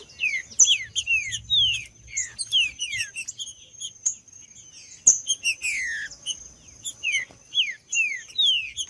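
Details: Green-winged saltator singing, meant to warm up a bird that is not singing; loud bursts of falling whistled notes in quick succession, a short pause near the middle, then more sweeping slurred phrases with a thin high background tone.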